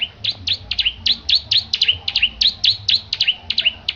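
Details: Steady series of bright, sharply slurred chirps, roughly four per second, from a Petarukan Bar-winged prinia in strong song during preparation for a bird-singing competition; faint low hum behind.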